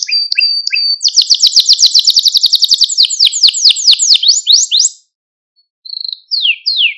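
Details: Singing male Maltese canary, used to excite other canaries: quick chirps, then a long series of rapid falling sweeps that slow down, a pause, and a few more descending whistles.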